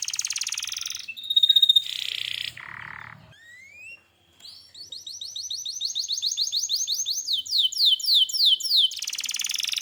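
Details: Energetic canary song: buzzy and whistled notes, a low rasping segment and a short gap, then a long accelerating series of rising whistled notes that blend into a rolling trill and a final dense buzz.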